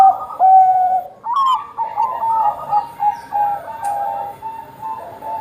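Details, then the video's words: Zebra dove of the Bangkok type, a keen singer used to prompt other doves to sing. A loud, mellow coo opens, then a stream of quick, evenly pitched, whistled notes follows in overlapping phrases. "perkutut bangkok gacor - buat pancingan perkutut bangkok agar cepat bunyi"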